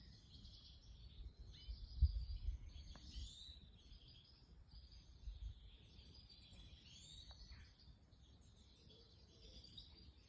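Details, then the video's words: European goldfinch chicks begging: faint, thin, high chirps running almost continuously, with a few short upward sweeps, over steady low rumbling background noise. "Stieglitz Major Goldfinch Chicks"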